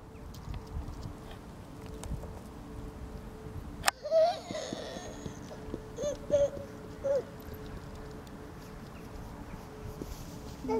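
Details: Black-throated loon at Vlachy, Liptovský Mikuláš, Slovakia, giving four short, nasal mid-pitched notes in the middle of the recording, over a steady low hum with a sharp click just before.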